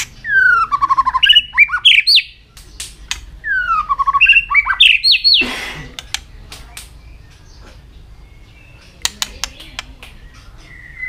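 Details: White-rumped shama singing intensely in a fighting contest while flicking its tail continuously; a run of loud, clear whistled notes, some sliding down and some rising, in two bursts, then a few sharp clicks and quiet.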